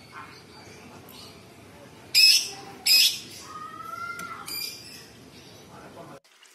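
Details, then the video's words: Cucak cungkok bulbul in a masteran recording: two loud, harsh, scratchy bursts, then softer clear whistles that slide downward with faint chatter, ending in sudden quiet. "Cucak cungkok istimewa gacor variasi tembakan istimewa tajam kasar rapat super pedas full isian"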